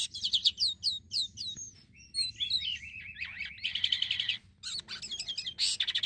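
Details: Black-winged myna in vigorous song, used to lure other mynas into singing: a rhythmic series of bright whistled slurs about five per second, then twittering, wavering notes and dense buzzy chattering phrases.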